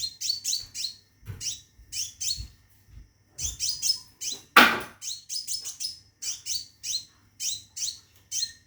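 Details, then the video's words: Bursts of high, downward-stepping chirps from a caged Scarlet minivet calling for a mate, delivered in short clusters with brief gaps, and one loud sharp knock midway. "Burung Seppah Raja Gacor Di Dalam Sangkar panggil betin kawin"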